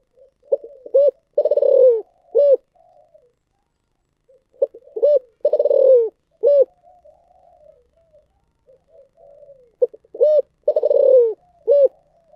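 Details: Spotted dove cooing in the thổ sấm voice style: three full phrases about every four and a half seconds. Each has short soft notes, a deep coo, a rapid pulsed rolling note sliding downward, then a closing coo. Quiet indoor-sounding background.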